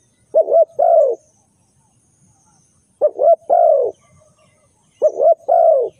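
Spotted dove cooing a three-part phrase, two short hoots then a longer drawn coo, repeated about every two and a half seconds in a quiet setting.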